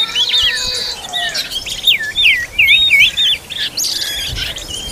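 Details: Oriental magpie-robin feeding its young, giving a run of rolling, looped whistled notes that dip and rise, about three per second, over softer high twittering and a faint lower whistle at the start.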